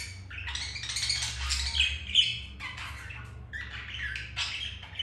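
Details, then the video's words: Budgerigars during mating indoors; dense rasping chatter and buzzy squawks running together, a short pause midway, steady low hum underneath. "Budgies mating"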